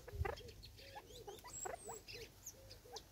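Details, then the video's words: Natal spurfowl, a group of six squabbling over food in South Africa in 2024, giving a steady run of short low curved notes about every quarter second, mixed with sharp pecking taps and faint high twitters. "Six Birds of a feather competing over food & making sounds"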